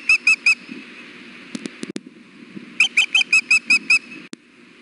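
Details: Female osprey fussing at the Hellgate nest on a hot June afternoon, apparently wanting food from the male: three ringing whistled chirps, some clicks, then a run of seven piercing chirps about three per second.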